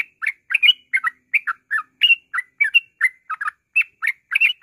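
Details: A yellow-vented bulbul (Pycnonotus goiavier) sings nonstop as a lure to get other birds singing, pouring out rapid, bubbly chattering notes, liquid and slightly rising, run together almost without pause; nothing else is heard.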